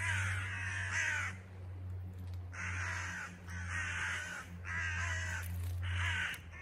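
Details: Excited crow parents circling a fallen nestling by a house call in long, harsh, hoarse caws, about five in a row with short pauses, over a low steady hum.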